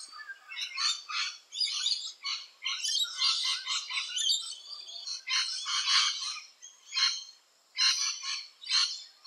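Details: Australian rainbow lorikeets busy at their nesting holes: a stream of rasping, broadband screeches in choppy bursts, some run together, others spaced about a second apart.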